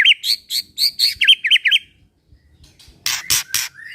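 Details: Singing white-rumped shama, used as a lure to get other shamas singing: a string of looping high whistled notes, a short pause, then loud harsh buzzy bursts.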